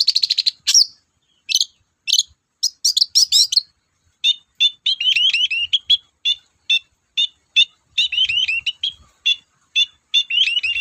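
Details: Long-tailed shrike (cendet) in full song, a lure for cage birds: a harsh opening note, then quick varied chattering and mimic-like chirps, becoming a steady rapid stream of high, twittering phrases.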